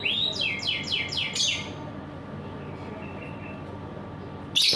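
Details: Canary singing in the morning: a quick series of five high, sweeping trills falling in pitch, lasting under two seconds. After it stops there is a steady background hiss and hum, then a sudden loud burst at the end.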